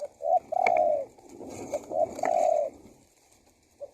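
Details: Spotted dove call for luring wild birds: repeated deep coo phrases, short lead notes then a prolonged falling coo, over a busy background of faint voices and rustling noise.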